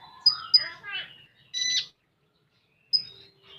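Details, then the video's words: Common iora in full tembakan song: two sharp high whistles, a descending series of buzzy, warbled notes, a harsh rasping burst, then silence before one more high note. "Burung Konin Full Tembakan"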